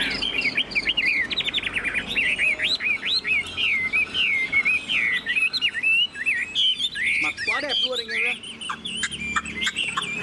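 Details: Tamed Chinese hwamei in a carried cage, tail spread, delivering high 'ngũ trường' song: fast, varied whistles and warbled slurs for several seconds, then sharper chattering notes and rattles, with faint background noise.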